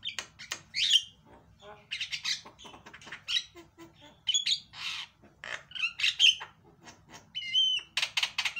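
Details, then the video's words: A Javan myna sings a loud, busy jumble of harsh squawks, clicks and sharp whistles in quick bursts over a faint low hum; a lure recording meant to get quiet mynas singing. "PANCINGAN JALAK BISU LANGSUNG BERISIK"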